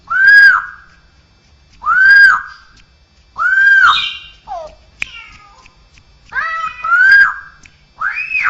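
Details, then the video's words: Straw-headed bulbul with an isian song imitating other birds, cats and humans: loud arched whistled notes repeated roughly every two seconds, with a few rougher downward-slurred sounds in between. "suara burung cucakrowo isian dengan suara suara aneh bisa suara burung jenis lain, kucing, manusia"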